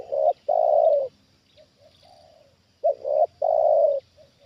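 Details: Trained spotted dove used to lure a wild bird, calling back and forth: loud cooing phrases of a short note and a long sustained coo, repeated twice, with softer distant coos between them and a faint high hum.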